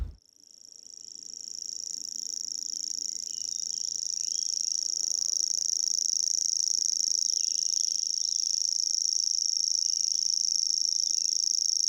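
A Common Grasshopper Warbler reels a high, dry, insect-like trill without a break, steady in pitch and growing slightly louder; a faint low murmur lies underneath.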